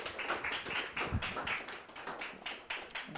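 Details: Quick, irregular taps or claps repeat several times a second, with a hint of voice underneath and no animal sound.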